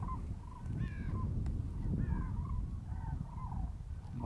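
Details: During the mass spring migration over Strabrechtse Heide, Netherlands, on 5 March 2013, common cranes give repeated rolling, trumpeting calls from several birds, overlapping across a few seconds, over a heavy low rumble of wind; one bird landed in a nearby pool.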